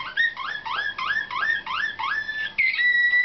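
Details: Slavujar (nightingale-type) canary song during competition training, 2013: a rapid string of upward-sliding whistled notes, about six in quick succession, then one long steady whistle.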